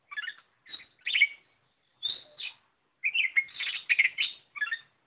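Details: Oriental magpie-robin singing gacor, full of energy, with short rich chattering phrases and a high whistle, a pause, then a longer jumbled run of whistles and buzzy notes.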